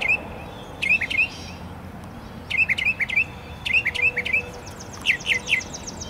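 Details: Fighting mockingbirds give short clusters of three or four sharp high chirps, repeated every second or so, over a continuous low outdoor hum.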